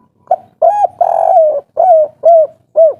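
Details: Spotted dove giving an agitated 'kuk 3' style call with a local wild voice, used as a lure to make other doves answer. A short note, a longer coo, and a drawn-out rolling coo are followed by three falling, evenly spaced coos.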